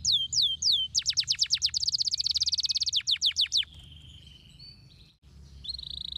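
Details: Stimulating canary song for rousing a lazy canary: a few slow falling whistles, a rapid rattling trill of steep descending notes, then a long soft thin whistle, a brief pause and a renewed steady whistled tone.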